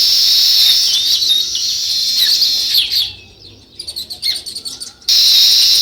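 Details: Sparrows chirping outdoors: a loud, continuous high chattering chorus that breaks off around three seconds, gives way to quieter separate chirps, then returns at full strength for the last second.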